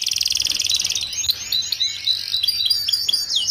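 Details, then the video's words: Song of a young canary, recorded to tutor juvenile canaries in group cages to sing early: a fast pulsing rattle lasting about a second, then a jumble of varied high chirps and sweeps. "Kicauan Kenari Paud"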